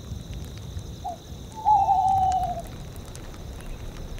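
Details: Tawny owls in a tundra soundscape. A short hoot is followed after a brief pause by a long, tremulous, wavering hoo-oo-oo lasting about a second. Soft wind and steady high cricket chirping fill the background.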